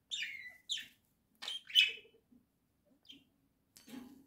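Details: Pet budgerigars indoors, a flock kept at home, giving short chirps and squawky notes in separate bursts with pauses between, some sliding downward, plus faint low chatter.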